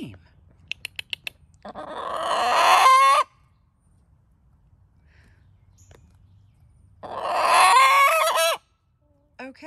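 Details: A hen crowing on a small New England homestead in July, greeted in the morning: two loud, harsh crows, each rising into a strained, held note and breaking off, separated by quiet, with a few sharp clicks just before the first.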